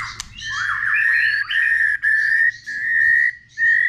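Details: Many-voiced White-rumped shama song meant to stimulate other birds: long, pure, level whistles held for nearly a second each, with thin higher overtones and brief gaps between phrases.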